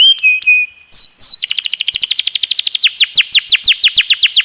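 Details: Canary master song with long rolls, water effect added: sharp high chips and short whistles, two falling slurs, then an accelerating rapid trill of downslurred notes running to the end.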